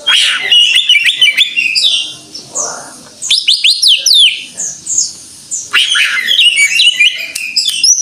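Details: Greater green leafbird in full 'gacor' song: long bursts of rich, rapid warbling, with steep whistled sweeps, chattering trills and mimic-like phrases separated by brief pauses.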